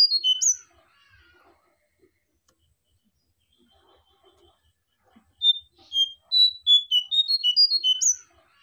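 A Sunda bush warbler sings a brief high burst, then after a quiet pause a longer run of clear, sweet notes that step up and down quickly.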